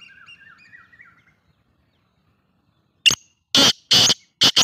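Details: Black francolin giving its call after a faint chirping of another small bird: one sharp note, then three loud, rasping, broadband bursts, the final burst doubled.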